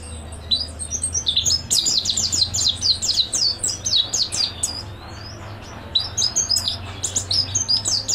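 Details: Mountain white-eye master song, energetic and full: a continuous stream of very high, quick chirping notes dropping in pitch, with a brief lull before the twittering resumes over a faint low hum.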